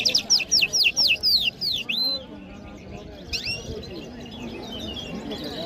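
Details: Mashhadi jal from Iran singing in Kabul: about eight quick, clear downslurred whistles in a row, then a pause with talking and a few faint later notes.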